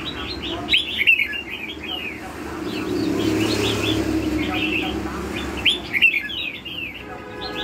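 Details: Red-whiskered bulbul singing in the lân hầu bò song style: quick bursts of bright, slurred whistled notes, some rising and some falling, in two clusters. A steady low rumble and faint voices run underneath.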